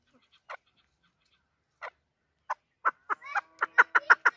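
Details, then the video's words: Chukar partridge starts with isolated clucks spaced over a second apart, then speeds into a quickening series of sharp chuk notes; a shekari desi bird. "Shekari Chakor voice. Desi chakor voice. Chakor sound."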